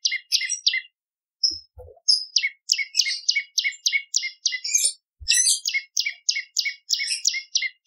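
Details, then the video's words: Bar-winged prinia song used as a lure and tutor for other songbirds: rapid, repeated high buzzy chirps, about three per second, each with a sharp lower click, in steady bursts with brief pauses. "Prenjak Lumut ! Variasi Suara"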